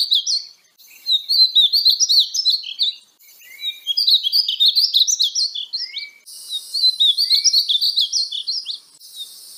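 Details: Painted bunting (Passerina ciris) singing three sweet, high warbled phrases of quick rising and falling notes, each about two seconds long and divided by short pauses, with no other sounds.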